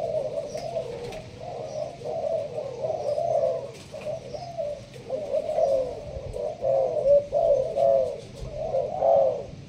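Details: Malaysian-line spotted dove, caged in a leaf-covered cage, producing 'thúc gù' coos in the sparse 'bài thưa' style: deep, warbling phrases rising and falling in a steady run, quieter gaps between them, light clicks audible.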